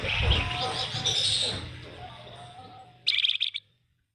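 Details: Grey-headed canary-flycatcher singing actively, a recording used as a lure to set off other songbirds; thin high whistles under low rumbling background noise, then a short burst of rapid, sharp chattering notes near the end.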